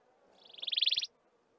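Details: Wailing cisticola of the browner, heavier-billed maculatus subspecies at Mountain Zebra National Park gives one quick, high, buzzy trill of about a dozen notes, building in loudness over less than a second, over faint low background hum.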